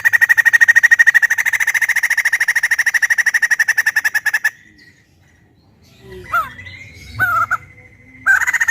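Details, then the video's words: Captive white-crested laughingthrush, a collection bird, delivering a loud voice: over four seconds of fast repeated chattering notes, then a pause, a few squeaky calls, and the chatter resuming at the end. "Suara Lantang Burung Poksay Jambul Putih"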